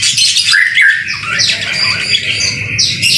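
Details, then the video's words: White-rumped shama singing in the rain, a lively song: high sweeping whistles and chattering notes over a steady hiss and low background rumble. "BIRD SOUND IN THE RAIN SUPER SPECTACULER / MASTERAN MURAI BATU GACOR"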